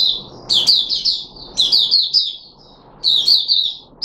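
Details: Puteh Raja, a red-whiskered bulbul in a cage, 13 April 2021, fed special fruit juice, one mealworm and a supplement: cheerful whistled phrases of four or five quick notes, repeated roughly every one and a half seconds.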